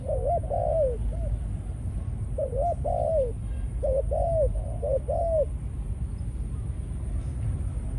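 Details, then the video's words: Repeated three-part coo phrases from a captive male decoy spotted dove of a Malaysian line, said to be in breeding mode after ground-feeding sessions; soft notes rising then gliding down, ending after five seconds, low drone throughout. "Chim cu gáy mồi || Nọc Neymar dưỡng vài kèo ăn đất rồi vào chế độ Sinh Sản"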